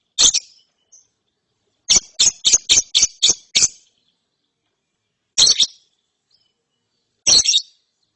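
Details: ['A lovebird chick, after therapy, chirps in ngeriwik style. A harsh chirp opens, then a rapid stuttering run of about seven high chirps, then spaced harsh doubled bursts.']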